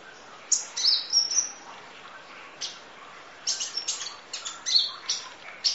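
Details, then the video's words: Sunbird 'nembak' training song: a burst of thin high whistles and chirps, then a short pause, followed by a quick series of sharp, squeaky notes. "Masteran Kolibri Ninja Full Isian Nembak Durasi Panjang Kicau Burung"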